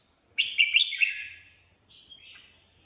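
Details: A red-whiskered bulbul in ché mode gives a strong, tumbling warble lasting under a second, followed by a softer, higher, drawn-out note.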